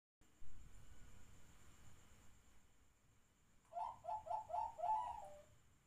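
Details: Zebra dove singing at midnight: after a quiet start with a low rumble, a quick run of five bright, staccato cooing notes, each rolled and slightly falling, comes near the end over faint steady background hum.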